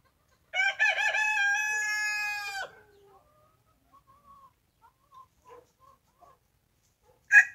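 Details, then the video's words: Rooster crowing: one loud, harsh, drawn-out crow lasting about two seconds, followed by soft scattered clucks and the start of another call at the end. "Gjeli duke këndu(rooster crowing)"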